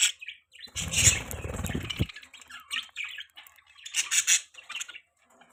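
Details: Pet budgies chirping and squawking in scratchy bursts, partly overlaid early on by a low rattling, fluttering noise lasting over a second.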